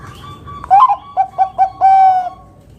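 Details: Zebra dove (perkutut), Bangkok type, giving its loud, big-voiced 'kung' lure song: a soft lead-in tone, a rising coo, four short clipped notes, then a long steady final coo.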